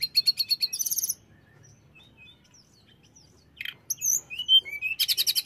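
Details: Hill blue flycatcher song used to make other birds aggressive: bright bursts of rapid high chirps and trills, then a quiet gap with scattered thin whistles, followed by a loud run of sweet, varied whistled phrases and buzzy rattles.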